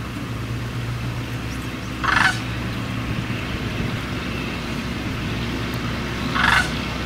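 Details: Two rattling, rolling sandhill crane calls, roughly four seconds apart, rising above a constant low engine-like drone.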